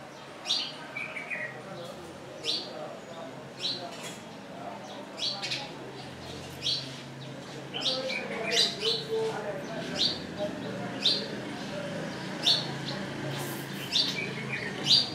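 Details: Wire-tailed swallows on a lodge roof in Pangani, Tanzania, give short, sharp twittering chirps at an uneven pace, roughly every second, over a soft murmur of background voices and a low hum.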